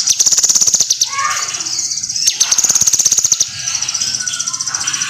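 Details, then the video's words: Kinoi song for bird training: very high, rapidly pulsed trills in repeated bursts, tailing into a steadier thin buzz, with soft mottled background chatter. "SUARA BURUNG KINOI GACOR"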